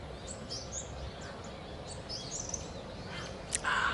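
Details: Common kingfisher, a female courting a male at Inokashira Park, Japan, on 8 November 2019, chasing him and edging closer while calling. Short, high, thin whistled notes repeat through the first two seconds, then a brief noisy burst follows.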